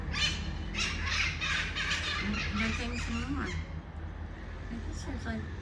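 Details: Noisy red-masked parakeets perched near a balcony in Ecuador, a flock giving rapid, overlapping harsh screeches for several seconds before fading, with constant low traffic rumble underneath.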